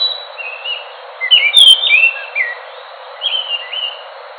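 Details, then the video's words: Enggano thrush song of fluty, sliding whistles, with one louder, higher, emphatic phrase in the middle, between softer warbled notes. "Anis nusa tenggara (anis macan )suara asli bikin ngotot bunyi"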